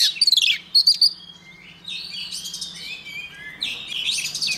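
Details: A female white-rumped shama's song, which incites males to sing: sharp, rapid whistled notes at the start, then fluid sweeping phrases and bursts of busy chatter.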